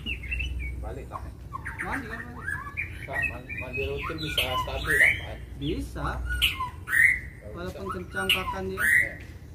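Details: White-rumped shama in a fight, provoked to sing: dense tangle of rasping, chattering and clicking notes broken by bright upward whistles repeated every second or two, with faint human voice underneath.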